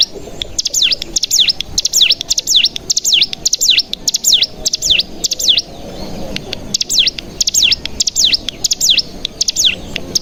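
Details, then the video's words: Cigun lure song for stimulating caged mountain tailorbirds: dense, high, V-shaped swooping whistles in fast runs, with a short pause midway before the series resumes. "Pancingan Cigun Bahan Agar Bunyi Langsung Ngebren"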